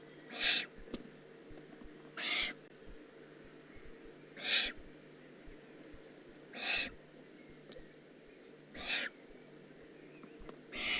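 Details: Young Eurasian eagle-owl, Eifel, June 18, 2016, giving a series of six breathy, rasping hisses at fairly even intervals of about two seconds against a quiet, humming background.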